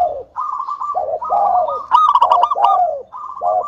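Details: Local zebra dove cooing to draw other doves into song: overlapping soft rolling coos and low swooping notes, a central run of quick bright staccato pulses, then more trilled cooing.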